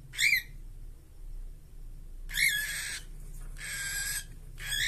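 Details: Two caged cockatiels give two loud, harsh, upslurred squawks about two seconds apart, followed by softer scratchy rasping bursts, over a low steady background hum.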